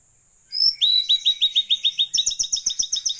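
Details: Blue-eared kingfisher (tledekan laut) in full, lively song: after a short upslurred whistle comes a long, even train of about twenty sharp, high chipping notes, roughly six per second, growing slightly higher and faster near the end.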